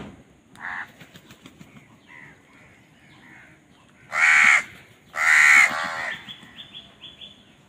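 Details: Amid crows fighting over food, a brief distant caw gives way to two loud, drawn-out, raucous caws near the end, with faint chirping after them.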